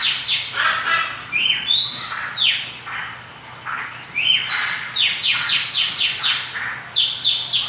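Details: Gacor song of a Mongolian lark, a long lively stream of high rising whistles and rapid repeated downslurred chirps, delivered almost without pause.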